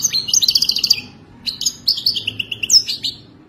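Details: Authentic Wadani-style European goldfinch song: two bursts of fast, high, liquid twitters and chirps with a short pause between, clean and loud.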